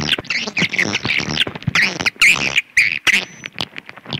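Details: Swiftlet twittering: harsh, buzzy chirps in irregular bursts, each roughly a quarter to half second long, with brief clicks between them.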